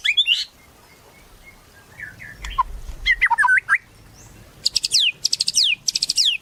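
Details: White-rumped shama singing energetically as a lure: varied phrases of soft whistles and tumbling, twisting notes, then three loud, fast rattling trills with falling sweeps at the end.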